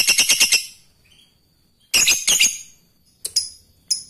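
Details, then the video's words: Lovebird, a lively fighter-type bird, giving its ngekek song: a burst of about six rapid, harsh, high chattering notes, a second chattering burst near the middle, then a few sparse sharp chirps in an otherwise quiet setting. "Lovebird ngekek fighter gacor"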